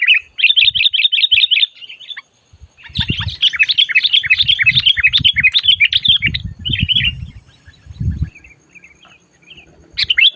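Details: Sooty-headed bulbul calling loudly and fiercely while being lured for trapping: quick bright chirps repeated in rapid runs, then a busier chattering stretch and a few scattered notes, over low thumping knocks.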